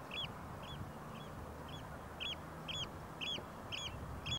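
A common greenshank gives a long run of clear, ringing 'tew' notes, about two a second, growing louder, over a low rumbling background.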